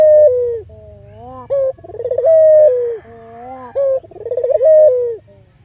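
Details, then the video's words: Albino local Barbary dove, used as a lure to stimulate other doves into calling, gives a melodious coo: a short note, a rolling pulsed trill, then a long steady tone that falls away, with a softer lower hum between phrases, repeated about every two seconds. "Pancingan Burung Puter Lokal Albino Gacor Suara Merdu"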